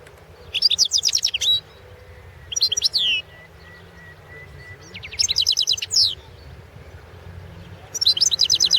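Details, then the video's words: European goldfinch recorded for the 2016 goldfinch song world championship, entry 001/2016: four bright bursts of rapid, liquid, high-pitched twitters and trills at roughly two-second intervals, with faint hum beneath. "Pesma štiglića"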